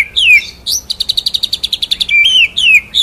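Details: Murai batu (white-rumped shama) in full ngerol nembak masteran: a falling whistle, then a rapid even series of high pulsed notes, followed by long slurred downward whistles.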